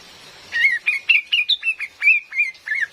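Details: Cream-vented bulbul female calling as a lure, with a quick series of about nine bright chirps, each a short rising-then-falling whistle, almost evenly spaced against a soft hiss of rain.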